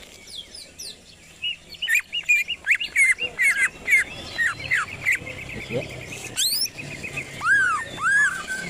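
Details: Greater green leafbird, kept as a songbird, singing to provoke other birds: quick runs of repeated clear whistled notes, sharp sweeping slurs and a few looping downward phrases, continuous and lively, with faint background noise.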